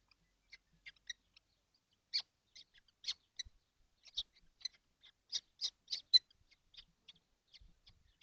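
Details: Seven kestrels packed into a nesting box on a hot day, 12 June 2025. Several birds give high, shrill, short calls in uneven bursts, growing busier and louder in the middle, with one sharp click.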